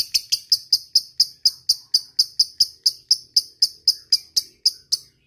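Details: Lovebird in a 'ngetik' lure recording meant to call a rival: sharp high ticking notes repeated evenly about four times a second, each a short bright click with a quick decay, no other sounds.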